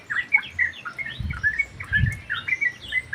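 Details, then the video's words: Sooty-headed bulbul singing in an aviary: short, bright whistled and chirped phrases in quick broken bursts, with soft low thumps beneath. "KICAU BURUNG TRUCUK GACOR"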